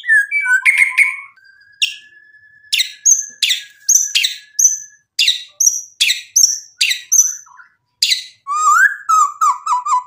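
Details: White-rumped shama song meant to provoke a rival to respond, rich in 'isian' material. Opening chatter leads to a long steady whistle, then about ten sharp, evenly spaced chip notes and a closing twittering warble.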